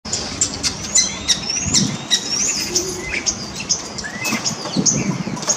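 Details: Common starling at the Amsterdamse Poort shopping centre in the Netherlands on 7 January 2023: high whistled slurs, thin squeaks and clicking chirps scattered over steady background hubbub and rustling.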